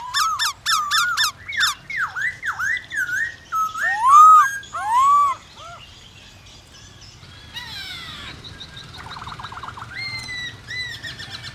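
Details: Black-throated laughingthrush song meant to stimulate other birds: rapid repeated sharp notes, then swooping and looping whistles that fade out, with a few softer whistled phrases near the end.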